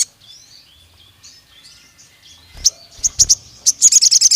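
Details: Pied fantail, agitated: quiet warbled fragments first, then crisp chips in small clusters, building into a quick series of high, sharp notes at the close.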